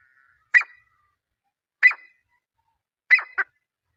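Grey francolin giving three loud, harsh, ringing notes about every 1.3 seconds, the last one doubled, over an otherwise quiet background.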